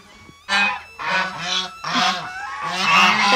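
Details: Domestic geese that have been laying eggs for two days honk loudly in four harsh, nasal bursts, each lasting about half a second, and growing louder toward the end.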